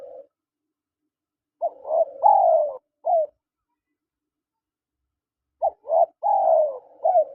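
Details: Spotted doves, male and female, calling in a quiet setting. Two similar phrases are separated by a long silence. Each has short clipped coos followed by a loud, stretched, falling coo and a closing note.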